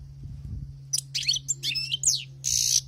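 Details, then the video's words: European goldfinch caught in the wild singing a quick phrase of bright twitters and downslurred tinkling notes, closing with a dry, harsh buzz, over a faint low hum. "أسمع وركز على المقنين الخلوي كيف يغرد"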